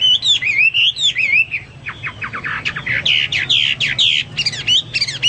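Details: Active Hwamei song for teaching pet birds: looping whistled notes, a run of dry staccato ticks, then loud downslurred whistles repeated almost twice a second, with a quiet low hum underneath.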